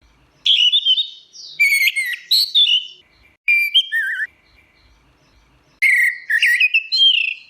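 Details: Orange-headed thrush singing in teler style: four bursts of rich, varied whistled phrases with rapid twisting notes and short slurs, separated by brief pauses of about a second.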